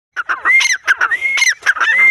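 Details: Female grey francolin calling: harsh, broken clucking notes mixed with loud, rising whistled notes that climb and hold near the top, several phrases run together.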